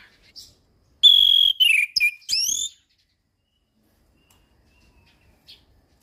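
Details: Orange-headed thrush tutor song: a short burst of a pure high whistle dropping into warbled, falling and rising slurred notes, surrounded by long silence.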